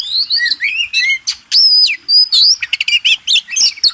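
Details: Oriental magpie-robin (kacer) contest-bird master song: clear looping whistles and slurred notes, a long sustained high whistle, then quick clipped chirps in a rapid varied sequence.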